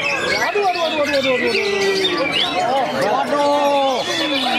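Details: White-rumped shama singing in a bird singing contest: loud, clear whistled phrases with long held and gently falling notes and quick sliding trills, overlapped by the songs of other competing birds.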